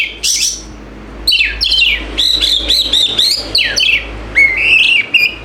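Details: White-rumped shama song played to make a silent bird start singing: an opening high whistle, then a long run of varied warbled phrases, sweeping whistles and clear ringing notes, loud and nearly unbroken.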